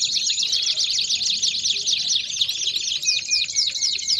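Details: Singing Belgian canary giving rapid chattering trills of repeated notes, ending with a thin, steady whistled tone beneath the trill.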